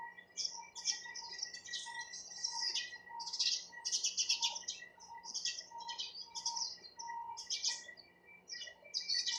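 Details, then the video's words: Sparrows chirping in a busy, continuous stream of short, high, bright chirps and twitters, with a faint steady tone pulsing in the background throughout. "চড়ুই পাখির কিচিরমিচির শব্দ Chirping sound of sparrows"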